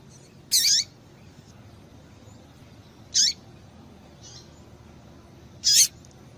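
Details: Female double-collared seedeater (Sporophila caerulescens) calling, used to stimulate males to sing: short, sharp, high chips every two to three seconds with a fainter note between, over soft low hiss.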